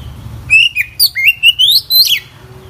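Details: Oriental magpie-robin giving a short fluent phrase of sweet whistles, stepping and slurring upward then dropping, over a low background hum.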